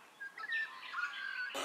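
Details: A young captive-bred female gang-gang cockatoo, hatched this year at a breeder in Bavaria, gives a drawn-out, creaky, rasping call lasting over a second, ending with a sharp knock.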